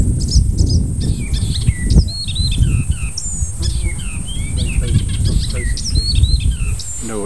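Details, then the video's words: Icterine warbler, a July visitor known for mimicking other birds, delivering a fast, jumbled medley of sharp chirps, slurred whistles and scratchy notes, almost continuous, over low rumbling background noise. "Song of the Icterine Warbler"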